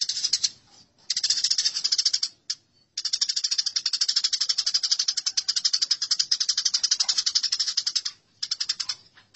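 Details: House sparrows in a fight give a near-continuous, fast, grating chatter of sharp high notes, about four per second. Two brief breaks interrupt it.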